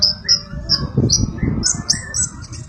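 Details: Sunbird song used as training material for magpie-robins: thin, high, sharp notes repeated at short intervals, mixed with a few lower whistled phrases, over a low rumbling background.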